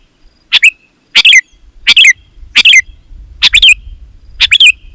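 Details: Sooty-headed bulbul in energetic song, used as a lure for wild and kept bulbuls: six short, loud, gurgling phrases, each a rapid cluster of bright chirps ending in a downslurred note, spaced about a second apart over low background rumble.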